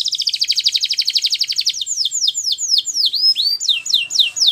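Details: Russian canary in song: a rapid rattling trill of high notes for nearly two seconds, followed by slower sweeping whistles dropping then rising, roughly four per second.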